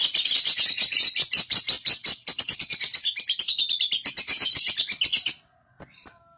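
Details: Young lovebird chattering in the long ngekek style, played as a lure to provoke chatter: dense, fast, harsh pulses for over five seconds, a brief pause, then a thin whistled note.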